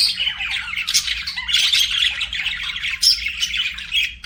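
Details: Budgerigars kept as pets singing, with rough squawking notes and rapid scratchy warbles packed closely together, a few sharper chirps standing out.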